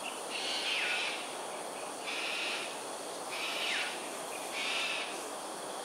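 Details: Early-morning aerial display by cockatoos at Sungei Ulu Pandan, Singapore, 13 January 2022, 7.43am: four loud rasping squawks spaced about 1.3 seconds apart, one with a quick descending note, over low steady background noise.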